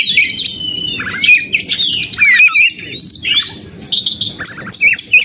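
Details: Song of a white-rumped shama used as a contest simulation to spur a caged bird to sing: packed high whistles, sweeping slurs and quick twittering phrases, continuous throughout, over a faint low background rumble.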